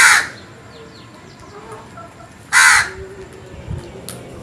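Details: Two loud, grating caws from a crow in the morning, about two and a half seconds apart, with faint chirping of small birds in the gap and a low hum behind.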